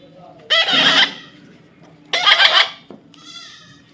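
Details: Young parrot being tamed, giving two harsh, raspy squawks about a second and a half apart, each roughly half a second long; faint room hum underneath.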